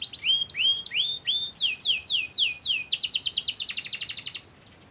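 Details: Canary song used as a lure to provoke other canaries into singing: series of bright downward-sweeping whistled notes, then a fast rattling trill of rapid repeated syllables before stopping.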